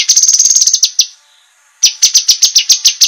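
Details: Cucak kinoi sharp master song for training contest birds: a quick trill of high shrill notes slowing into separate chips, a short pause, then more evenly spaced piercing notes.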